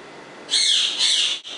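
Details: A pet Congo African grey parrot, known for talking and whistling, gives two quick, high, raspy speech-like phrases back to back, lasting about a second, over a faint background hiss.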